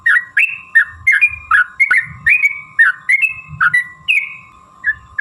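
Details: Sooty-headed bulbul in a long 'ropel' fighting-style song, used to lure other bulbuls into singing: rapid bursts of short, liquid whistled notes, rising and falling, about fifteen phrases in five seconds, over a steady faint hum.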